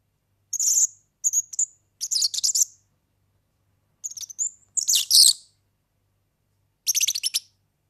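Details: Tutoring song of the European serin, or organeli: short clusters of thin, buzzing, metallic trills and brief whistled slurs, grouped in three bouts with a long gap before the last.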